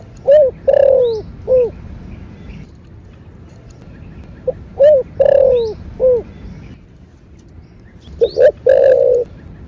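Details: Spotted dove (cu gáy, cu đất) cooing in the thổ bầu style, played to stimulate caged doves: three cooing phrases, each two short notes then a long drawn coo, repeated roughly every four seconds over low background rumble.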